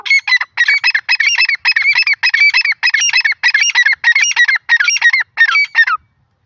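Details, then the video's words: Black francolin pair, known locally as dakhni teetar: loud, harsh, buzzy grouped notes in rapid bursts, repeated almost without pause for about six seconds, then stopping. No other clear sounds. "dakhni teetar jora ki awaz"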